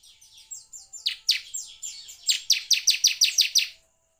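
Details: Bar-winged prinia (ciblek) song from a lure meant to provoke singing. Soft sliding notes build into a steady run of about ten loud, sharp, descending chirps, evenly spaced, before stopping abruptly.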